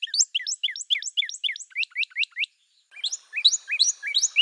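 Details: Northern cardinal in song, a brisk run of downslurred whistled notes for over two seconds, followed after a short gap by higher, thinner phrases.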